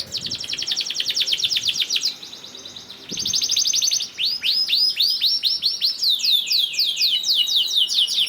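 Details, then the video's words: Long 'ngerek' canary song used as a lure so other canaries start singing: a dense buzzy trill of rapid high notes, a short pause, another trill, then a series of looping swept whistles. "PANCINGAN KENARI GACOR DOR NGEREK PANJANG INI AMPUH BIKIN KENARI LAIN BUNYI"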